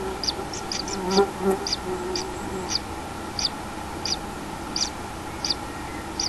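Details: Common kingfisher at the nest with a day-old chick on 6 July 2016, mid-afternoon; a run of brief, piercing high chirps spaced about half a second apart, with a soft low murmur and constant background hum.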